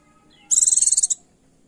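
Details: A single very high, rapid trill of about a dozen buzzy pulses lasting just over half a second, given by a female Oriental white-eye calling a male to rouse him into song.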